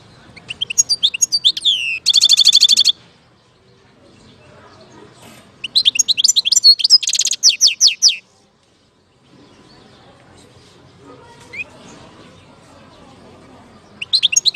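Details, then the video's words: European goldfinch singing in Algeria: bursts of bright, high twittering and rapid buzzy trills, with a pause of several seconds between phrases and faint low background noise during the quiet gaps. "اجمل صوت حسون في الجزائر"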